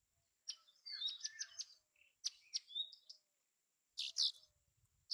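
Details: A bay-backed shrike (Lanius vittatus) sings a quick, varied song of high chirps, short whistles and scratchy notes in bursts, with a louder harsh pair of notes near the end.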